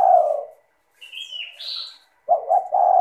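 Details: Spotted dove coo used to draw other doves into song: a long low cooing note fades, a higher whistled two-part note from another bird follows, then a new stuttering coo begins.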